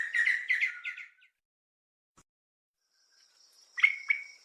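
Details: Sri Lanka Spurfowl, a terrestrial forest bird found in pairs, gives its rollicking call: a run of rapid, rich notes, then a rising, piping ki-chaiku. A thin, high insect-like tone hums faintly behind.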